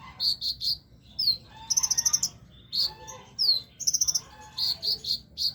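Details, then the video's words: A sunbird kept in a cage placed low down, still calling eagerly, giving quick high chips in groups of three or four, rapid rattling trills and sharp downslurred notes, with a soft low hum beneath. "burung kolibri ninja ditaro di bawah juga masih gacor"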